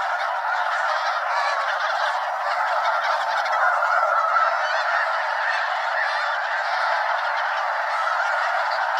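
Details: Snow Goose mega-flock, over 200 birds, wheeling over Limestone Bay in Wheeler National Wildlife Refuge, Alabama, before settling on the water; a ceaseless clamour of overlapping honks, briefly swelling louder midway.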